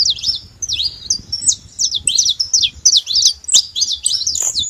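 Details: Free saffron finch in natural surroundings delivering a rapid chatter of high, sharp chirps and descending slurs, about three per second.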